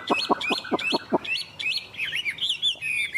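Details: Chinese hwamei from Vietnam opening with six harsh, low rhythmic notes at quick, even spacing, then changing to bright, twisting whistled phrases.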